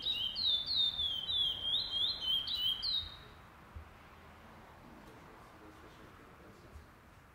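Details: At a seed finch singing tournament, first stage, 08/11/2020, a pardo curió gives about three seconds of quick, loud, high whistled notes swooping up and down, then stops, leaving quiet background with a few soft knocks.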